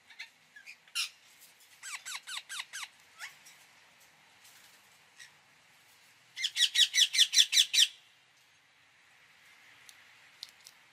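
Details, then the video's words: Indian ringneck parakeet producing scattered squeaks and a series of short falling notes, then a loud rapid burst of about eight shrill squawks, followed by soft faint calls. "parrot sound | ringneck"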